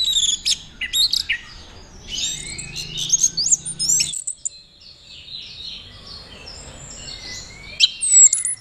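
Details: Orange-headed thrush in Mojokerto, Indonesia, a kept bird showing teler courtship behaviour. Chattering high phrases and quick mimicked notes, then a pause and softer, thinner whistles, ending with a few sharp, bright notes.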